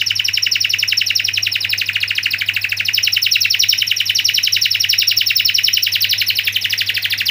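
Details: Canary in full rolling song: a continuous dense, buzzy high trill pulsing about three and a half times per second without pause, with a steady low hum underneath.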